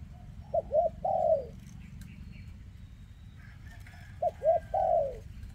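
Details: Spotted dove, 2024, a bird with a leg defect, cooing twice: two clipped coos then a long falling one, with faint chirps from other birds in the middle and a low steady hum.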